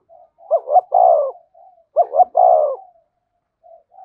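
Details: Spotted dove song in the thổ voice with thúc and kèm styles: two low phrases, each a pair of short upturned notes followed by a long sliding coo, with soft quiet coos before and after.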